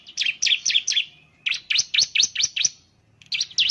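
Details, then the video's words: Bar-winged Prinia (ciblek) lure song: rapid series of sharp, high chirps in bursts, each note sweeping downward, with brief pauses between runs of five or six notes. "Suwara Burung Ciblek || Ciblek bird lures, the sound of the gacor immediately picks up"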